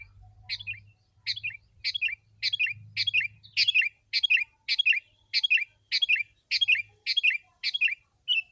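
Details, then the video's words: Sooty-headed bulbul in full, dense lure song aimed at wild birds: a crisp sharp-onset phrase falling into bubbly notes, repeated almost twice a second in a steady run, faint low hum early on. "Kutilang si.ladusing super gacor suara rapat menekan burung liar"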